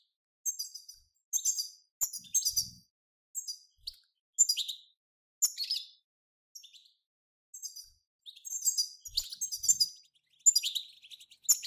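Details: European goldfinch song in the batbata style, recorded as a group song to provoke goldfinches into singing. Clipped, bright, twittering phrases arrive about once a second, mixing sharp chirps with buzzy, descending notes.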